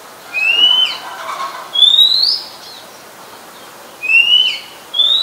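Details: Oriental magpie-robin song from Ubon Ratchathani, Thailand, 17 July 2021, where it is a very common resident: four clean upslurred whistles, some with quick trailing notes, given in an uneven series.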